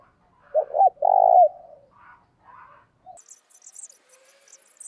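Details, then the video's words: Spotted dove used as a decoy, calling to provoke rivals: one loud, low phrase of short stuttering notes leading into a long coo, followed by softer scattered chirps and high twittering. "tiếng chim cu gáy mồi thúc sung và gáy gọi hay"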